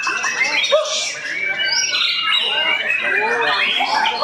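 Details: White-rumped shama singing at a national-class songbird competition in Matraman, Indonesia, held by Medan shama fanciers: loud, rich, varied whistled phrases sweeping up and down, dense and continuous, with chirps layered over one another from other competing birds.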